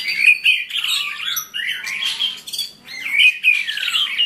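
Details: White-rumped shama song: loud, varied whistled phrases with slurred rising and falling notes and harsh chatters, delivered in quick bursts separated by brief pauses.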